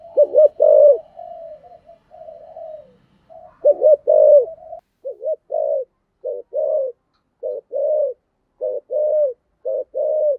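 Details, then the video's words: Decoy spotted dove with a 'thổ' style voice: two full wavering coo phrases, then a string of short paired coos repeated about once a second, low and hollow throughout. "Tiếng cu gáy giọng thổ gáy gọi Hai Hậu giọng hay và hạp bổi"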